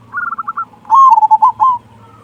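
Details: Local Indonesian zebra dove singing loudly, with a big 'kung' voice meant to stir other zebra doves to sing: a short run of rapid soft coos, then a louder, rolling, stuttering phrase that ends abruptly.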